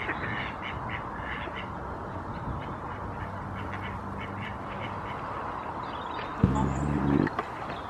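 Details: A common moorhen at Barrs Court on 28 February 2021 gives a short, loud, harsh croak near the end, after faint ticking notes over a steady low rumble of background noise.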